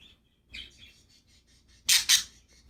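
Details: Happy budgies chirping: soft warbling twitter followed by two loud, harsh, buzzy bursts close together, then a brief squeak.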